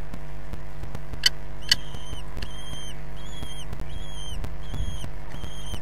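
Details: Common kestrel at its nest in Brest during feeding, 6 June 2022, heard on a live nest stream: high, drawn-out, slightly arched notes repeated about twice a second, two sharp clicks early on, and a persistent low hum.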